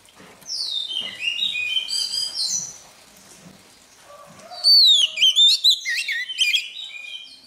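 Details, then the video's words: Wild-caught Oriental magpie-robin rehearsing its song at daybreak. A descending cascade of quick chirps gives way to a quiet spell and a low note. Then come loud, twisting whistled phrases repeated roughly twice a second. "Choè than bổi lên hót luyện giọng lên lửa mỗi sáng"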